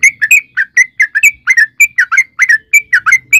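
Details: Sooty-headed bulbul singing vigorously as a lure for other bulbuls: a steady, bouncy sequence of short whistled notes, often in pairs, about five per second, against a quiet background.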